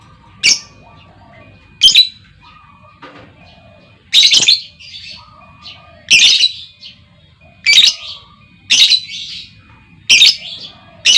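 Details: A female lovebird calling to draw long trilling replies from other lovebirds. Piercing, scratchy shrieks come roughly every one to two seconds, eight in all, with softer twittering notes between them.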